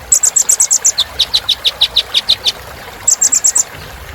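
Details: Rapid series of high, sharp chirps from a Kolibri Ninja sunbird: a run of very high notes, then a slightly lower repeated series, roughly two per second, ending with another high burst.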